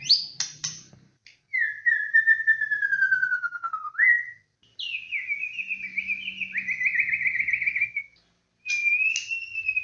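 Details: White-rumped shama (murai batu) song used as a lure recording, described as very vigorous: long clear whistles sliding slowly downward, broken by short pauses, with brief sharp notes at the start and a faint low hum beneath.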